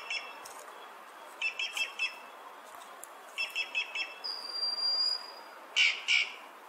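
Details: Inca jay giving short bursts of four quick, ringing harmonic notes, then a thin steady whistle held for about a second, followed by two loud harsh squawks near the end.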